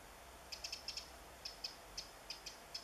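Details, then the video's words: A Eurasian wren calling in the woods while searching for insects on 27 July 2014 gives dry, high ticking calls, about a dozen sharp clicks in under three seconds, some in quick pairs, over quiet woodland background. "Zaunkönig - Eurasian Wren calling"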